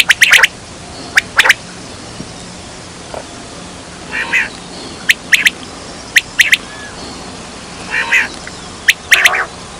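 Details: Quail call used to lure birds in hunting: short, sharp, bright notes in doublets and triplets, about one group a second and irregular, with a few softer rasping bursts between, over low steady hiss.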